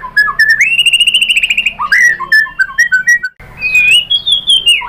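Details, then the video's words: White-rumped shama (murai batu) encouraged by a lure recording: quick whistled notes leading into a rapid rattling trill, then varied slurred whistles and a final rising phrase. "pancingan MURAI BATU agar bongkar materi TEMBAKAN"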